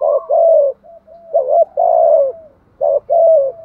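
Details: Spotted dove used as a decoy bird, cooing in the thúc gù style. Three loud, low, throaty coo groups come at roughly one-and-a-half-second intervals, each a short note followed by a longer falling one, with faint soft notes between.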